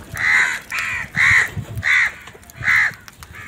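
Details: Crow eating in the morning, giving loud, harsh caws in a steady series of about six, each roughly half a second long, with light outdoor noise beneath.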